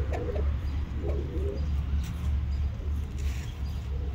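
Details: Pigeon cooing: a few soft, low, muffled coos in the first two seconds, then quieter, under a steady low rumble of background noise.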